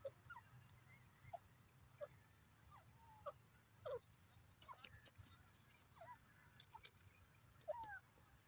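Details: A dakhni teetar (desi francolin) gives short, sharp chirping notes roughly every second, some rising or squeaky, over a steady low rumble of background noise.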